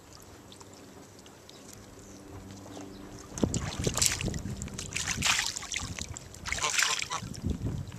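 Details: Water splashes and sloshes in bursts after a quiet start, with light wind and no calls.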